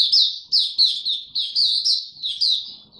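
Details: Male mata puteh, or white-eye, with a maturing song, 9 February 2022: three seconds of brisk, high, slurred chirps, roughly three per second, each sliding down in pitch, loud and clean.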